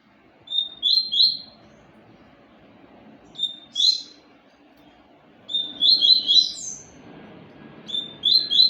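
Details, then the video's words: Seedeater (papa-capim) repeating short phrases of two or three bright, quick-slurred chirps several times, each set separated by brief pauses, over a faint low background hum. "papa capim"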